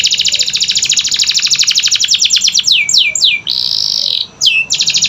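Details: Training song of a canary meant to start silent birds singing: a long rapid rattle of high notes slows into sweeping downward whistles, then a sustained buzzy tone, a short dip, and another swept note.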